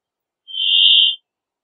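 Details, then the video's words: Brambling producing one steady, drawn-out buzzy note that swells and fades over about 0.7 seconds, with nothing else heard. "Brambling Song! Brambling Call! Brambling Voice! - Pinzón Real Canto - Fringilla Montifringilla"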